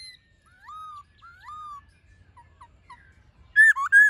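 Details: Black-throated laughingthrush forest-style song, used to stir caged and wild-caught birds into singing: faint looping whistled slurs, a few short notes, then two loud ringing whistles at the end.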